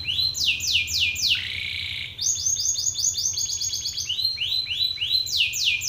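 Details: Angry Belgian canary male singing loudly at another male: descending sweeping notes, a short harsh buzzy rattle, then a rapid rolling trill and a return to slower high downslurs.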